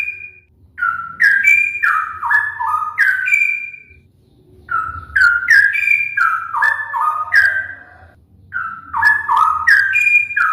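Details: Rolling song of a straw-headed bulbul: loud, mellow whistled phrases of linked notes that slide and step downward, delivered in three bubbling bursts separated by short pauses, with a faint low rumble behind.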